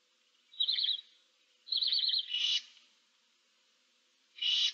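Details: In a nest box with seven barn owl chicks, 15 March 2024, short tremulous warbled notes lead into breathy rasping hisses, with a pause before a final hiss.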